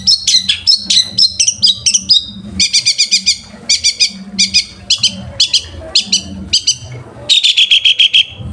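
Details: Long-tailed shrike master song for training birds, with fast runs of sharp chirps, groups of harsh stacked notes in rhythmic bursts, and a closing buzzy rattling trill.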